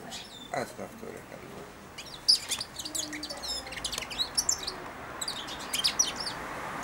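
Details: A four-month-old caged European goldfinch, hand-tame and used to eating from the hand, sings a quiet subsong while being fed: scattered high twittering notes with soft background rustling.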